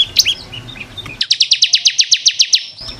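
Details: Bar-winged prinia, called ciblek kristal, kept in a cage and recorded as masteran for other birds: a few scattered chirps, then a steady rapid run of about fourteen high downslurred notes.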